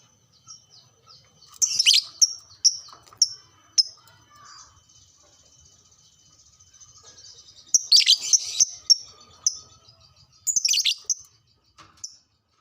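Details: Lovebird song played as a lure to excite caged lovebirds and make them sing more: shrill, high chirps and rasping chatters in bursts, a short repeated note series, a long thin trill near six seconds, quiet background.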